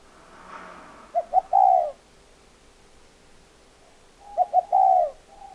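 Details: A spotted dove repeats a three-part phrase twice, two clipped low coos leading into a longer drawn, falling note, with a quiet pause of about two and a half seconds between phrases.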